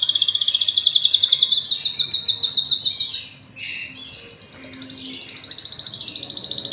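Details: Canary pair kept in a cage, the male courting the female while chicks are fed in the nest: a rapid high trill that jumps to a higher rolling phrase, a short dip, then resumes as a steady buzzy trill.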